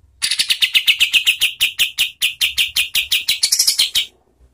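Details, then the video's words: Cotton tail song used as a training song for competition birds: a long rapid rolling series of about thirty high, sharp chip notes at a steady pace, quickening into a tighter trill at the end. "SUARA KAPAS TEMBAK untuk MASTERAN BURUNG LOMBA"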